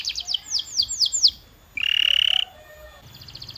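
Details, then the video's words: Canary training song: a run of downward-sweeping whistled notes, a brief harsh buzzy burst, then a soft rapid high trill over a faint low hum. "This Sound Will Make Your Canary the LOUDEST in the Neighborhood"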